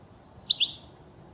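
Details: Three bright, quick twittering notes from a European goldfinch, part of a recording used to teach young birds to sing, against a quiet background.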